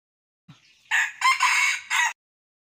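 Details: Newly brought-in water-type red junglefowl rooster giving a full crow, a faint opening note followed by three strident buzzy bursts, the central one drawn out, ending abruptly in silence.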